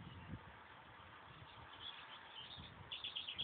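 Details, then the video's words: Pet tufted titmouse begging while being hand fed: a hushed stretch of room noise, then near the end a quick run of about six thin, high chirps in close succession. "Tufted titmouse being hand fed"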